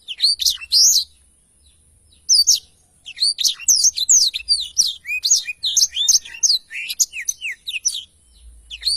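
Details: Lively 'gacor' song of a black-throated canary meant as a master recording for teaching other songbirds: a brief opening phrase, a pause, then a long continuous run of sharp, varied, high chirps and swooping whistles.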